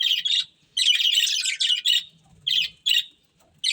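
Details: Budgerigars from a breeding pair give separate bursts of buzzy, rasping chatter, a long warbled run then short clipped chirps spaced by silences, faint low rumble between.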